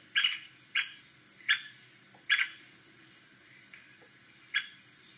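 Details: White-backed woodpecker giving sharp, short, clipped call notes, about six in five seconds at uneven intervals, some loud and some faint, over a quiet low background hum.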